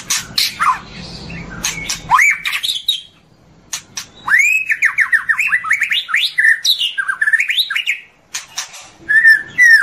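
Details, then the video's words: White-rumped shama morning song: rich varied whistles, rising and falling slurred notes in fast rattling runs, with sharp clicks and short silent gaps. "Masteran Murai Batu Durasi Panjang Untuk Pagi Hari"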